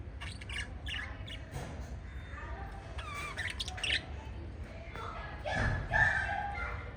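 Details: Pet lovebirds chirping and squawking indoors: a busy stream of short sharp chirps and harsh squawk notes, irregular, several overlapping, with louder bursts near the end over a steady low rumbling background.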